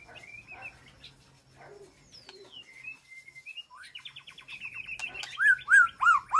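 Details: White-rumped shama in an aviary, calling to the flock: soft scattered whistles and a sliding thin note, building into a fast, regular stuttering series, then loud arched whistles repeated about every half second.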